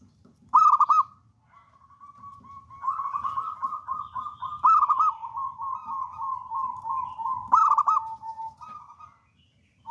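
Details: Zebra dove of local wild stock, a spirited lure singer, delivering loud pulsed coo bursts followed by a long continuous rolling trill that runs for several seconds, ending in another sharp burst.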